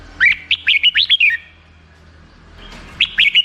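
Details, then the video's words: A black-crested bulbul delivers a rapid chattering phrase of about seven clear, bouncing whistled syllables, then pauses and starts a second shorter phrase, the notes sweeping up and down in a lively, bubbly pattern. "suara burung merbah jambul"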